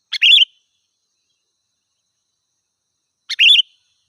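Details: Sooty-headed bulbul in full voice, used as a wild-bird lure: a short chip and bubbling whistled phrase, then silence, then the same phrase again about three seconds later.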